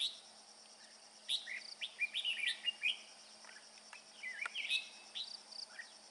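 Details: Male red-whiskered bulbul carrying food sings a run of rapid, rising and falling warbled notes after a quiet opening, with a soft buzzing hum throughout.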